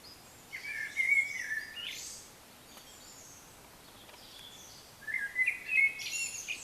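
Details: Night song of a bird at 3 a.m. in a yard; a rapid warbled phrase of chirps and whistles, a pause of about three seconds, then another similar phrase, over steady low background noise.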